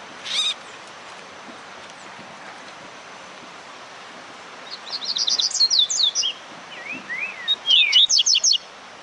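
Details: Rusty-collared seedeater warming up to sing: one sharp note at the start, a quiet gap, then two bursts of rapid high trilled and slurred notes, each a few per second, over steady hiss.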